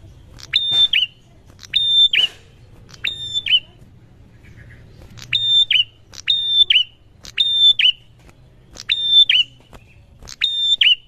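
A prinia gives loud, sharp, high chirped notes, repeated about every second in short bursts, with a faint low hum behind.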